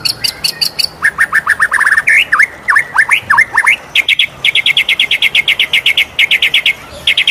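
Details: White-rumped shama in morning song, a long varied run of rapid repeated notes: high ticking trills, then bursts of fast upswept whistles, then steady rattling series of short notes.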